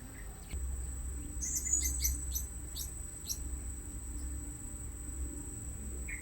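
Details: At a new luring site, blue-crowned hanging parrots give a cluster of sharp, high-pitched chirps over about two seconds. A constant shrill tone and a low hum run underneath.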